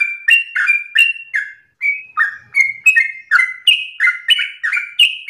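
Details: Sooty-headed bulbul singing hard: mellow whistled slurs, some doubled, coming about three per second, with a short gap near the start before the run resumes.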